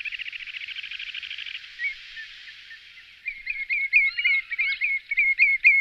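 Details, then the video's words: Common redshank calls used as a lure: a fast buzzy trill lasting over a second, a quieter pause, then a lively jumble of loud whistled notes with rising and falling slurs. "Chamariz, Señuelo, Perna Vermelha Comum, Tringa Totanus, Archibebe Comun"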